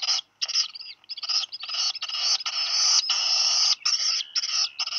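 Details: Black guillemot chick, one of two siblings, after dropping its fish meal on Seal Island National Wildlife Refuge, Maine, USA, 8 July 2020. Strained, hissing screeches, some long and drawn out, follow each other with short breaks.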